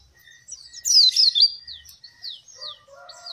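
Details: Oriental white-eye song used to prompt and train captive birds reluctant to sing: a burst of high, rapid twittering notes with sliding whistled slurs, followed by scattered thin descending chirps and quieter lower tones.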